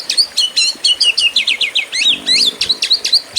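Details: Kacer petarung, the fighting-style song of an Oriental magpie-robin used as a master for contest birds: a fast, rich run of trilled and warbled notes, sharply slurred whistles pouring out without a break.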